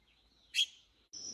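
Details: A young red-billed blue magpie, probably learning to fly and fallen into a patch of grass on a mountain, gives one sharp, exceptionally bright chirp, followed by a thin, steady high note over a soft rustle.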